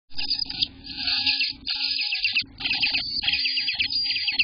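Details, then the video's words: Nestling Eastern bluebirds in their nest, day 18, June 24th, 2021: sustained high, raspy chattering begging with rapid ticking notes, pausing briefly twice, a faint low tone underneath. "Eastern Bluebird Babies!! Day 18 part one"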